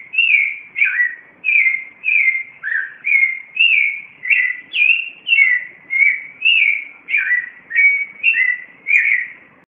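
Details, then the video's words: Clay-colored thrush (yigüirro) in Cartago, Costa Rica, singing at 4:45 a.m.: a steady run of mellow, slurred whistled phrases, each about half a second long, varying up and down, nearly two per second. "El Canto Yiguirros"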